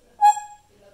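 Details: Pet African grey parrot kept as a talking bird that mimics Urdu and Hindi speech. It gives a single short, loud, clear note rich in overtones. The note falls away within half a second, with quiet voices before and after.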